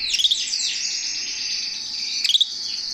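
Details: Canary singing while held in a person's hand: a continuous high rapid warble with rolling trills, and brief bursts of sharp chipping notes near the start and again after two seconds.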